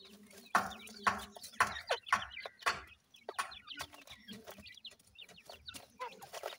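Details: Several francolin chicks eating termites, giving short downward-sliding peeps in loose runs over loud broadband pecking taps and scratching.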